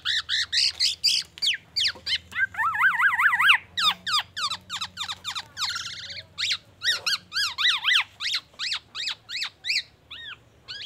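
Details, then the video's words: Long medley from a black-naped oriole mimicking oriental magpie-robin and an ambulance siren: fast trills of zigzag notes, sharp repeated chips, a brief rasp, and varied whistled notes, delivered almost continuously. "KEPODANG EMAS TELER BONGKAR ISIAN MURAI BATU DAN SIRENE AMBULANCE"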